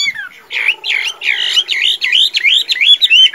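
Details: Tame Chinese hwamei, described as a good singer and fighter, delivering a run of loud slurred whistled notes, each swooping down then up, repeated about three times a second with a faint low buzz beneath.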